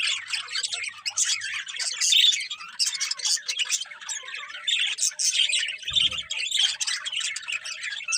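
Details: Flock of birds chirping and squawking in the morning, steady overlapping high chatter with one brief low thud partway through.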